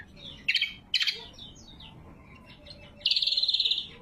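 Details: Lesser green leafbird lure and training song, loud and clear: two short stuttered chirps, soft high twitters, then a fast even trill of about a dozen notes.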